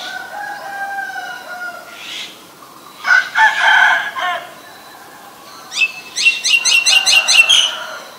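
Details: Female Asian koel giving a fast, even series of sharp, high notes like rapid kik-kik-kik near the end. Earlier there are louder harsh bursts and faint sustained tones from other birds.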